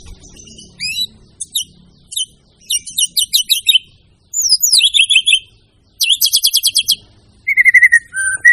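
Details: White-rumped shama delivering a varied song of short whistles, rapid trilled bursts and falling slurred notes, ending with lower drawn-out whistles.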